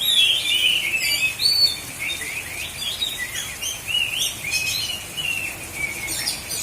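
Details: Oriental magpie-robin (kacer) competing in a singing contest, South Aceh, Indonesia: strong opening whistle followed by a rapid stream of sliding chirps and trills, about two notes per second.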